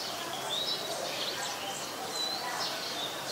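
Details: Olive-backed sunbird (yellow-bellied sunbird) at a home on 25 March 2021, late afternoon around 4:45 PM: thin, high whistled notes, some gently rising, scattered across a few seconds over a steady hiss of background noise.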